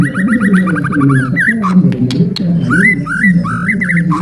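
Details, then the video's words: Long ngalun song of a white-rumped shama, meant to rouse other birds: quick runs of whistled notes, a short gap with clicks, then rising looped whistles repeated about three times a second, with low music throughout. "MURAI NGALUN PANJANG | SUARA PEMICU EMOSI BURUNG JUARA"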